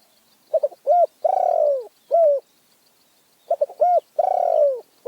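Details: Two full song phrases from a Spotted dove in Phrae, Thailand: brief stuttering notes, a rounded coo, a long vibrating downward-sliding coo, and a short final coo, separated by silence.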